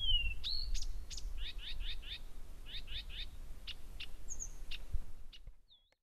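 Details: Blyth's reed warbler in continuous, powerful song at Gerå Engvej, Denmark, 1 a.m., 15 June 2014: a slurred whistle, then a short trilled motif repeated four and three times, single sharp notes, a final high whistle, then silence.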